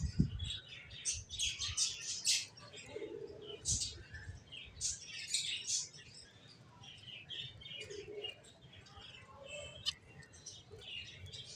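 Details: A busy chorus of finches, with dense bursts of high, quick chirps and twittering that is strongest in the first half and then thins to scattered tweets. Soft low knocks are heard in the background.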